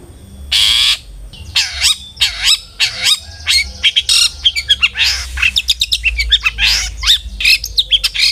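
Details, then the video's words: Long-tailed shrike song meant to make other shrikes sing: a harsh rasp, then drooping slurred whistles and a busy jumble of chattering and squeaky notes, with a faint low regular pulse behind. "suara burung CENDET GACOR ampuh pancingan CENDET AGAR BUNYI"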